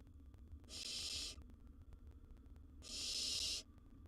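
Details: Wild barn owl chick at the nest with prey: two broad, wheezy hisses of well under a second each, separated by a quiet gap of about a second and a half.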